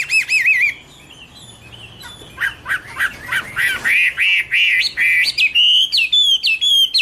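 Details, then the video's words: Garrulax canorus song opening with quick wavering whistles, a short pause, then a run of clear repeated whistled notes, about three per second, ending in higher slurred phrases. "Birds Garrulax canorus: Singer yellow mouth - wonderful birdsong"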